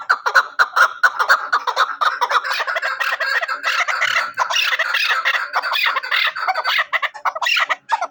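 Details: Hunting chukar partridge calling in a long, dense, continuous series of raspy chuck notes that overlap and grow more excited toward the end.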